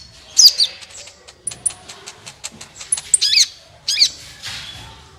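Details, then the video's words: Sunbird singing, used to encourage other birds to sing: twisting high warbled phrases and rapid ticking notes, with sharp looping whistles and a softer trailing buzz at the end. "suara burung Kolibri ampuh untuk pancingan, suara burung Kolibri gacoorr 2 menit langsung ikut gacor"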